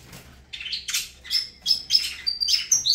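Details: Saffron finch, Avalanche song style, delivering a quick series of high chirps and thin whistled notes, rising in loudness toward the end.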